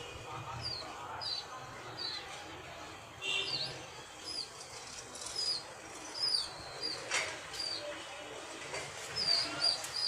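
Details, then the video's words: Young pigeon chicks in the morning give thin, high, squeaky peeps in short bursts, several each second, over a steady hiss with faint rustling. "Chirping sound of pigeon's small"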